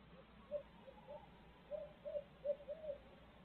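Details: Barred owl in Midtown Tulsa giving a rhythmic series of about seven mellow, mid-pitched hoots, some short and some drawn out, spread over three seconds against a low, steady background hum.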